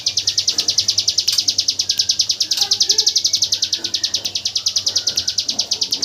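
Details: Hill prinia in 'tembakan AK47' song style, used as training audio for white-rumped shamas: an unbroken, rattling burst of high, clipped notes fired about eight per second, with faint lower chirps in the background.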